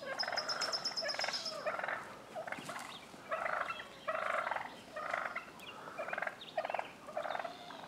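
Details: Tom wild turkeys in a street fight spilling into a front yard in Willits, Mendocino County, California, other toms worked up too, give rough, rattling gobbles in short bursts about once a second, with a thin high whistle near the start.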